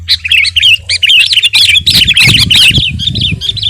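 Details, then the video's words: Sooty-headed bulbul gacor song for training or luring birds: a tight string of rising and falling chirped notes, bright and repetitive, with low rumbling noise growing midway. "masteran dan pancingan suara burung KUTILANG GACOR"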